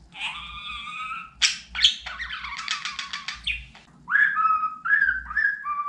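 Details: Pet budgerigar talking and warbling in a room: a buzzy, harmonic drawn note, then a rapid rattling run of clicks, followed by short rising whistled phrases, with a faint low hum behind.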